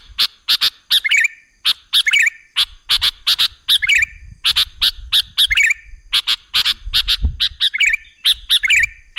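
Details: Sooty-headed bulbul recorded as a lure to draw in other birds. Loud, clipped chirps come in dense paired bursts, mixed with short bubbly warbles, repeated with almost no pause. Faint low rumbles sound underneath.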